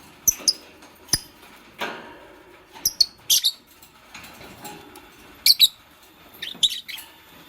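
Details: Green Fischer's lovebird kept with a pastel lovebird, building a nest: scattered sharp, high chirps and squeaks, some in quick pairs, spread irregularly across the clip against a quiet background.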